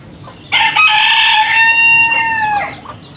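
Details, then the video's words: Rooster crowing, one of several roosters in a compilation, each with its own crow: a single loud, harmonic cock-a-doodle-doo of about two seconds, held level and then falling in a drawn-out tail. "Rooster Crowing - Rooster Sound Effect - Gà Gáy - Gà Trống - Tiếng Gà Gáy - Con Gà Gáy"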